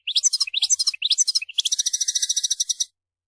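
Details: European goldfinch, called mguenin, singing in a display of vigour: three short jangling twitter phrases lead into a sustained rattling buzzy trill lasting over a second. Nothing else audible.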